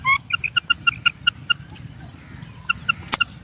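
A female common quail gives a rapid run of about nine short, clipped, mid-pitched notes, pauses, then adds a few more over a low background hum.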